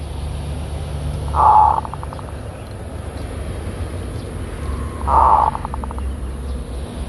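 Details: Kerot-style zebra dove lure song: two purring coos about four seconds apart, each ending in a fast run of short staccato notes, against constant low rumbling background noise.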